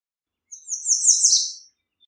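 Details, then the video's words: Song of an American redstart, a single high, thin phrase of run-together sibilant notes that swells in loudness and ends with a drop, over a silent background. "American Redstart Singing - Candelita Norteña Cantando"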